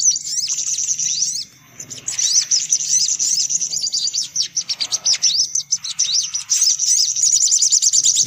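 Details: Sunbirds in a noisy lure recording, the 'sogok ontong ribut' style, meant to draw sunbirds in. Dense, rapid, high thin chirps and twitters overlap almost without a break, with several sharp downward-sweeping notes and a short lull early on.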